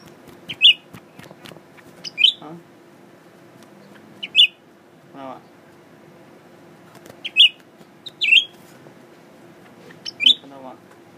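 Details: A tame, newly kept male blue-winged leafbird sings at its mirror image, giving brief high chirps and squeaky double notes at irregular intervals of one to three seconds, with a few soft clicks and rustles between.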